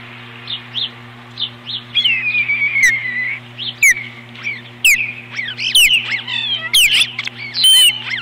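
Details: Osprey at its nest on 21 April 2015, a pair defending the nest against an intruder: loud whistled, slurred chirps that rise and fall, given in irregular bursts, with sharp knocks and a steady low hum behind.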